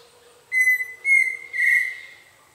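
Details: A pheasant cuckoo (Dromococcyx phasianellus) perched in forest near the Canopy Tower, Panama, gives three clear, pure whistles on an even pitch about half a second apart, the last longer and slightly wavering, over a faint low hum.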